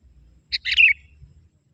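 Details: Young forest sooty-headed bulbul calling to wild bulbuls: a quick chirp followed by a bubbly, slightly descending twitter lasting under half a second, over faint low rumble.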